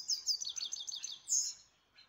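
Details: A pet grey-crowned goldfinch in Istaravshan sings a quick, high twittering phrase of tinkling, liquid notes ending in a brighter buzzy trill, with nothing else clearly heard.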